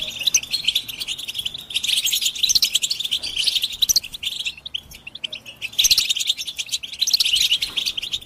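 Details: European goldfinches in a group 'batbata' twittering session, calls said to stimulate males to sing and break their silence, with mating and readiness calls: dense, high, tinkling chatter in overlapping bursts, briefly thinning near the fifth second before swelling again.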